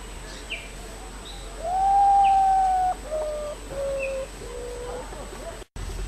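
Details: Common Potoo (urutau) at night delivering a falling sequence of four whistled notes, the first long and the rest shorter and stepping lower, against steady background hiss and faint distant chirps.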